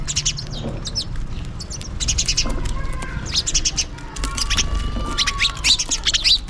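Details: A flock of house sparrows calling for food during feeding, dense overlapping chirps in busy clusters, almost continuous, above faint low noise.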